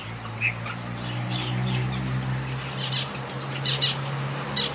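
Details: Caged finches in a backyard aviary give scattered high chirps and short twitters over a steady low mechanical hum.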